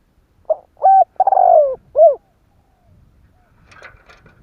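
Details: Spotted dove cooing to provoke wild doves: four loud, mellow, hollow coo notes in quick succession, a short one, a rising note, a long drawn-out falling coo and a final rounded note, then quiet rustling and faint noise.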